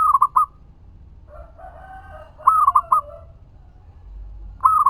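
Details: Local zebra dove singing as a lure to make other doves answer, used to stir breeding drive: short phrases of soft cooing notes repeated about every two seconds, with fainter lower cooing between the phrases.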